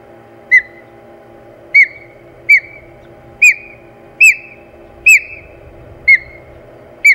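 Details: Osprey calling in a fight over its Hog Island nest, 4 May 2020: a run of eight piercing whistled chirps, each dipping then slurring off, coming roughly once a second, over a low droning hum.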